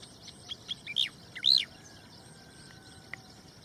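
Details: Striated grassbird, a very common resident of fields in Tarlac, Philippines, singing: a quick phrase of five or six bright, high whistled notes, some sharply rising and arching, over about a second, then quiet amid faint hum.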